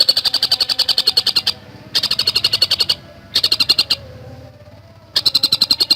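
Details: Javan cuckooshrike singing fast and tight as tutor recording: short phrases of rapid, sharp, high chattering notes, each about a second long, separated by quiet gaps of roughly half a second to a second.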